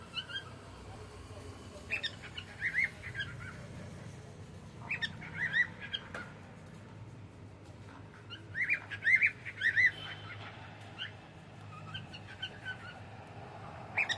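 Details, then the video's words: Cockatiel singing while enjoying the evening: clusters of bright rising chirps and whistles in several bursts separated by quiet gaps of one to three seconds. "Cute Cockatiel singing and sound"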